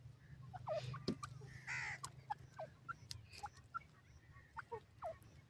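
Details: Grey francolin (teetar) calling: short, shrill, sliding notes and a nasal, harsh phrase over a low hum.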